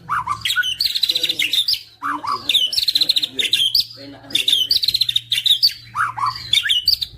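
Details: White-rumped shama song for prompting other shamas to answer: repeated bursts each opening with a low swooping note followed by fast buzzy high trills, roughly every two seconds, with a low hum throughout.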